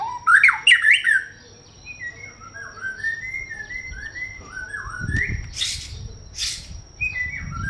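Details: White-rumped shama opening with loud rapid whistled notes, then softer varied whistled phrases with a few harsh broadband bursts and low thumping sounds in the background.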